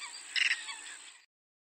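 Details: A whiskered tern recorded in Córdoba gives a single harsh, rasping call lasting about a second, loudest near its start, over a faint steady high hiss.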